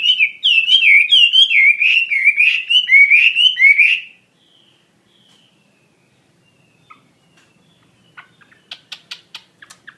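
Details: Chinese hwamei pouring out a loud series of looping whistled phrases, each rising and dipping, about two per second for four seconds, then quiet with faint scattered chirps.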